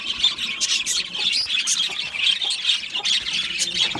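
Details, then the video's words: Budgerigar parakeets in a colony aviary squawk and chirp in quick, overlapping bursts, a constant scratchy chatter. "Beautiful Budgie singing and chirping sounds | Budgie parakeets sounds"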